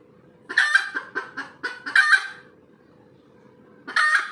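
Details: A red junglefowl hen's post-laying cackle: a burst of quick clucks builds to a loud, grating squawk, a silent gap follows, then another harsh squawk begins, with a low hum in the background.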